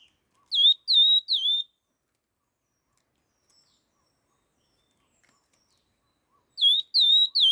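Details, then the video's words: Laughingthrush fast song: a tight group of three loud whistled notes that slide down and level out, silence for about five seconds, then the same triplet again. "Tiếng chim khướu lùi đuôi hung hót kích nhanh"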